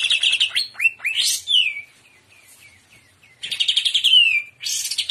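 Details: Shrimp-style trotolan by a greater green leafbird: rapid chatter merging into looping rising and falling whistles, a brief lull, then more quick repeated notes capped with a long downward slide.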